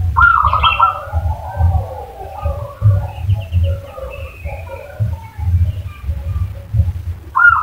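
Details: Lure call of a zebra dove to prompt another bird to answer: a rapid trilled coo at the start and another beginning at the very end, with faint chirping notes and pulsing low rumble between.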